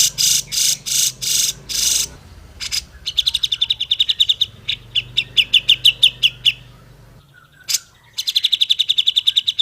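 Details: Grey-cheeked bulbul in a clean, clear tutor recording for training other bulbuls to sing sooner: harsh broadband chatter bursts, then rapid high trills of short notes, pausing, then another fast trill.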